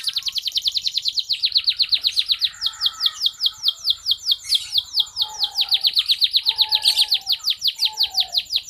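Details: Local red canary singing as a tutor model for young birds: long rapid trills of high sweeping notes, switching between phrases of different speed, with a few lower whistled notes underneath.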